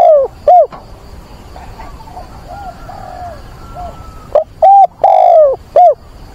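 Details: Caged decoy spotted dove calling for a mate on 24 September in wind and rain, used to lure and train wild doves: two four-note phrases, short coo, short coo, long falling coo, short coo, with a quiet pause between and faint coos behind.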